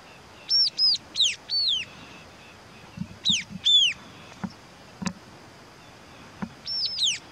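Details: White-capped tanager (Sericossypha albocristata) giving loud, sharp, downslurred squealing notes in quick bursts of two to four, with scattered soft knocks between.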